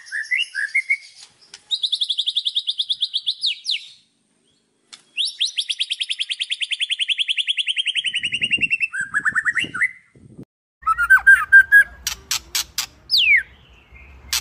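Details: White-rumped shama singing a full 'isian' song: two long, fast, buzzy rattling trills, then lower whistled notes and quick sharp chips. Near the end, clicking sounds and a low background rumble.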